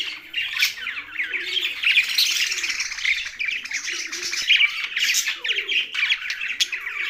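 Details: Young budgerigars chirp in a rapid, twittering chatter of quick rising squeaks, while soft low cooing phrases repeat about every second beneath them.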